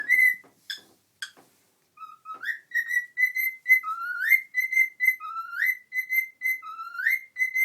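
A pet cockatiel whistles clear repeated notes and rising slides, mimicking a learned phrase.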